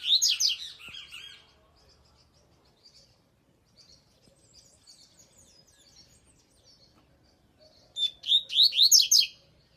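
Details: Coleiro song in two bright bursts of quick high chirps, one at the start and one near the end, separated by quiet faint twittering.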